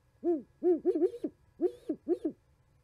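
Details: At a Charlo, Montana osprey nest on 11 January 2020, owls trade hoots in winter: two steady low hoots, then quick clustered, overlapping hoots at two pitches, some with a faint higher whine.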